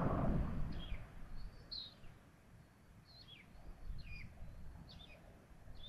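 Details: Common buzzards feeding at a nest in Tiszalök, Hungary: a series of short, thin, downslurred mewing calls repeated roughly every second, some doubled, over low rumbling background noise.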